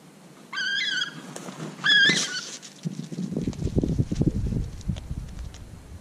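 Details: Bald eagles in winter on a street in Juneau, Alaska, four birds eating fish heads and bones; two short bursts of high, harmonic, piping calls in the first two seconds, followed by low rumbling, thumping and scuffling noise.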